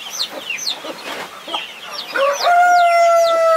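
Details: Mother hen guarding her 21 chicks: many thin peeping chick calls and soft clucks, then a loud drawn-out crowing-like tone held steady for over a second.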